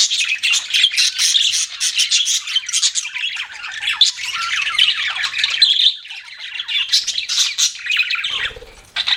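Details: Pet budgerigars warble and chirp in a dense, grating chorus of rapid squeaks and buzzy notes, ending with a brief low thump near the close.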